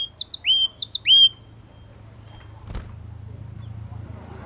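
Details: High, sharp whistles from a yellow-cheeked tit, paired clipped notes followed by a longer slurred note, given twice within about a second before fading to quiet background hum and a brief click.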